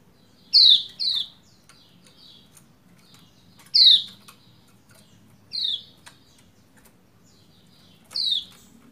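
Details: Female white-eye (Lombok pleci) calls to urge a male to sing. There are six bright, downward-sliding chirps, given singly and in pairs several seconds apart, with soft ticks between them.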